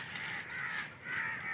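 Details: Harsh, grating chatter of babblers near a net trap, a continuous scratchy call with no clear gaps, rising and falling slightly in loudness over under two seconds.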